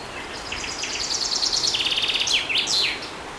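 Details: A common chaffinch singing. A bright, accelerating series of sharp repeated notes drops into a lower rattling trill, then ends in a quick descending flourish, over steady outdoor background noise.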